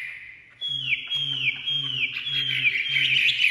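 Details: Freshly uncrated caged Chinese hwamei repeats a clear high whistle that drops sharply at the end, about three times a second, building into a denser warbling run, over a low rhythmic background hum.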